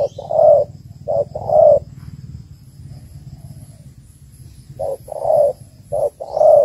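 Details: Female spotted dove calling to excite males during trapping. Paired low coos, each a brief note then a longer throaty coo, heard in two bursts separated by a quiet pause, over a faint low background hum.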